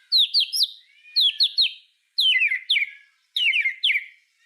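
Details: Murai batu, the white-rumped shama, in a 'full tembakan' master recording for teaching other songbirds: four clustered groups of two or three sharp downslurred high whistles, each group about one second apart.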